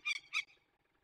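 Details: Peregrine falcon, young birds being released in the Barycz Valley, Poland, 27 May 2020: two harsh, raspy call notes in quick succession, each about a tenth of a second, then quiet.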